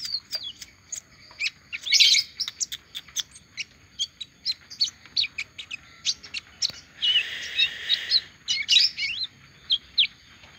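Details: Olive-backed sunbird singing again after its moult: rapid series of sharp high chips, a loud twittering burst around the middle, then more chips and trills.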